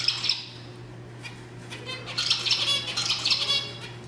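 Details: Zebra finch singing, used to stimulate other birds. A short burst of buzzy notes opens the clip, then a quiet stretch, then a second phrase of nasal, stacked notes with a low hum throughout.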